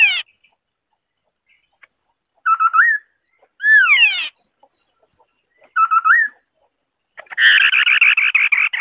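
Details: White-browed scimitar babbler singing: a short falling whistle, then a fluty low note with an upward flick, a sweeping descending double whistle, the fluty note again, and finally a rapid rattling chatter of rough repeated notes.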